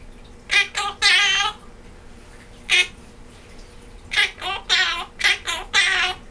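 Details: A pet male monk (Quaker) parakeet sings Jingle Bells, remembered from last year, as a mimicked tune in bursts of harsh, speech-like syllables with laughing throughout.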